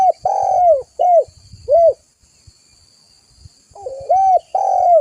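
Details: Spotted dove (tekukur) calling vigorously as a lure and tutor call: a phrase of three or four mellow, downward-curving coos, a silent pause of nearly two seconds, then a rolled lead-in followed by further loud coos.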